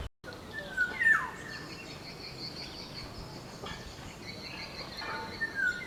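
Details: A black-naped oriole (Oriolus chinensis) in the wild gives one liquid whistled phrase that rises then drops away, followed later by a fainter echoing whistle, amid a steady high hiss of insects and ambient noise.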